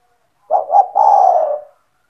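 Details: Single phrase from an owned spotted dove in strong calling form, played to attract other doves: two short soft notes running into a long, mellow, slowly falling coo, in otherwise quiet surroundings.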